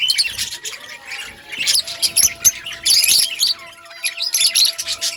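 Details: Budgerigars chirping in an outdoor breeding colony, rapid bursts of high, buzzy and squeaky notes from several birds, with louder clusters and short quieter lulls, over a faint steady hum.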